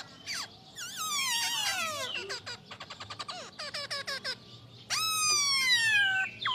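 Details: Poksay Hongkong, the masked laughingthrush, an imported songbird, mixing descending whistled slurs, fast rattling trills and a loud long downward-bending whistle, over background hum.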